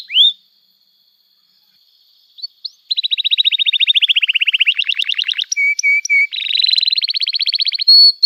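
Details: Canary song played to teach young canaries: an upslurred whistle, then long rapid trills dropping slightly in pitch, a few short separate notes, and a final rolling trill ending in a clear whistle.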